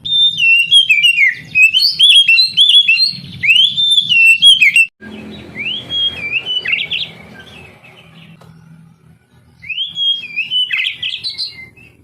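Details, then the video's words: Oriental magpie-robin singing to encourage lazy young canaries: loud sequences of quick whistled and warbled notes, a short quiet gap with low murmuring background, then further rising, jumbled phrases. "Terapi Kacer tercepat | kenari paud malas bunyi langsung NGADU"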